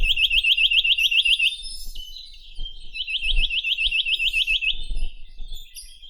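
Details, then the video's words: A loud Chinese nuthatch (Sitta villosa), one of the rarest breeding birds of the Ussuri region, sings two trills of about ten rapid, evenly spaced upslurred notes each, with faint high chirps in the background. "Как поёт Поползень косматый (Sitta villosa)"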